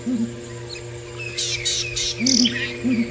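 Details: Female Southern ground hornbill calling at sunrise on 21 February 2018 in wet weather at Djuma, Sabi Sand, South Africa, probably a lone bird, giving short, deep, hollow hoots in spaced bursts, over an engine hum and other birds' chirps.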